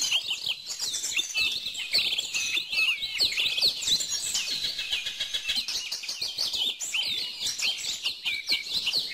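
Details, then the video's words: Busy chorus of high-pitched chirping and warbling from songbirds, continuous twittering with quick repeated notes and trills throughout, no other sounds standing out. "bird song"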